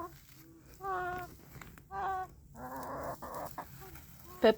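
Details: Chicken producing nasal squawks and one longer buzzy, rasping call, ending with a sharp knock.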